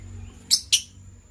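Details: Gray and yellow lovebirds in the morning: two short, sharp, high chirps given in quick succession about a fifth of a second apart, over a faint steady high-pitched hum and low background rumble.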